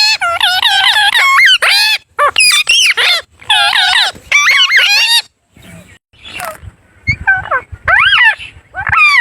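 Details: Parrot giving loud, harsh, strongly modulated calls in rapid bursts, each note arching up and down, with brief pauses between runs.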